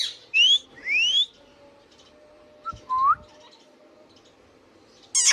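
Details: Indian ringneck parakeet at home whistling two clean upward-gliding notes, then after a pause a short lower rising note with soft taps, ending in an abrupt shrill squawk.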